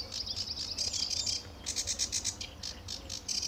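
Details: Sedge warbler singing on a sunny early morning in July 2013 at RSPB Fowlmere, England: a lively run of harsh, buzzy high chattering phrases, rapidly repeated rasping notes with sweeter whistled elements mixed in.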